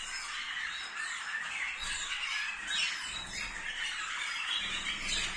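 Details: Waterslager canaries singing, recorded in 2022: a dense, unbroken stream of bubbling, watery trills and twitters at mid to high pitch, holding a steady loudness throughout, with faint low background rumble.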